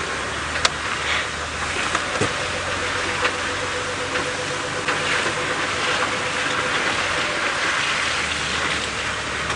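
Steady broadband hiss like a running vehicle or light rain, with a few faint clicks and a low hum, and no clear animal calls.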